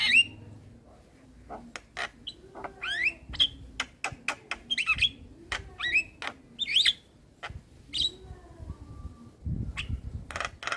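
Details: Adult male Javan myna singing to train a young bird: a varied, fast jumble of sharp chirps, clicks and short whistled notes with harsh squawky bursts, delivered in irregular clusters.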